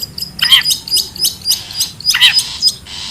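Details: Wild long-tailed shrike, used as a lure sound to draw in birds: two harsh, buzzy, descending calls roughly 1.7 seconds apart, with thin high chirps scattered between them.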